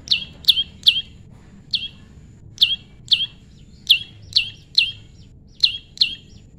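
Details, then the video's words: Prinia in natural pairing, tame, calling loud, clean, high chirps that sweep sharply downward, some in close doublets, about a dozen over nearly seven seconds against a quiet background. "prenjak lumut jodohan alam"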